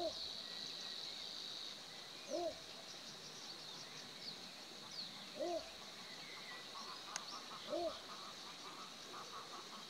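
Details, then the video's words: Little Bittern giving short, deep, gruff barking notes, one every two to three seconds, over a steady high-pitched insect buzz. "Ixobrychus minutus / Little Bittern / Bączek - głos"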